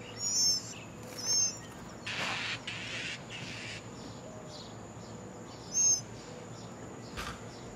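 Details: Thin, very high squeaky notes from brown thrasher nestlings in the nest as their mother feeds them, a few seconds apart, with brief rustling bursts and a steady high hum behind.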